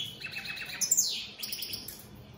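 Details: Opal split satiné colour-mutation European goldfinches singing; a brief, fairly soft burst of high twittering notes with a quick downward-sliding whistle in the middle, then fading chatter.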